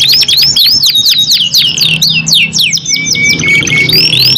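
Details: Two canaries singing back and forth: a run of bright swooping whistles in quick succession, a lower drawn-out whistle, then more rising slurs.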